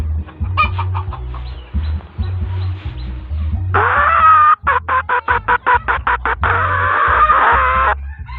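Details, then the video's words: Hmong rooster crowing over steady low-pitched music: a long, loud, harsh crow breaks into a string of rapid evenly spaced pulses, then swells again into a drawn-out strained crow. "Qaib dib hmoob lpb, ไก่ต่อม้ง"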